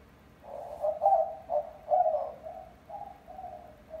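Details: Pet female white-winged dove, found as a week-old chick in August 2021, cooing after starting at about five months old: low, hooting coos in a rhythmic series of short and drawn-out notes over about three seconds, quiet background.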